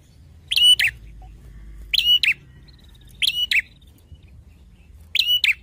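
A bar-winged prinia gives loud, sharp, doubled chirps, one every second or so, each a bright high burst over a quiet background.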